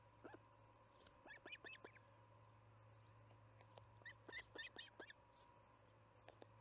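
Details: Evening feeding at the Charlo osprey nest, 6pm MDT on July 9, 2019. Two bursts of sharp, upslurred chirps, several in rapid succession, separated by a quiet gap, with a constant low hum behind.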